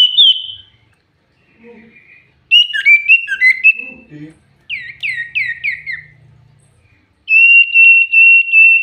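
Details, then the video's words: A very vocal common iora kept as a lure bird gives varied whistles: a high steady note, a jumble of short chirps, four descending slurred whistles in a row, then a long level whistle that pulses rapidly. "Burung cipoh pancingan super gacor"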